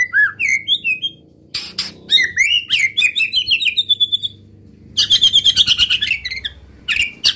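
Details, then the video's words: White-rumped shama song meant to fire up rival males into singing and reveal their repertoire: clear whistled notes climbing and slurring, then sharp clicks and a burst of rapid harsh chattering, over a faint low hum. "PANCING MURAI BATU ANTI GAGAL |NEMBAK NEMBAK BIKIN LAWAN NAIK EMOSINYA DAN BONGKAR ISIAN"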